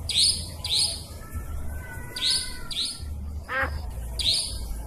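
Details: Nightjar lure for trapping: paired high, rising chirps repeating, a thin level whistle beneath, and a brief descending wavering whistle near the end, over low hum.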